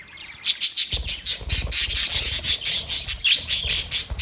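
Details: Colony of white and green parrots, August 26, 2023: a rapid, continuous run of harsh, raspy squawks starting after a half-second pause, overlapping calls from several birds with a steady rhythm.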